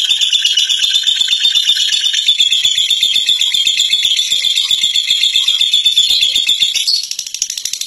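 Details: Fighter lovebird singing its long ngekek, a rapid rattling chatter of about four pulses a second, steady and high, dropping in loudness near the end.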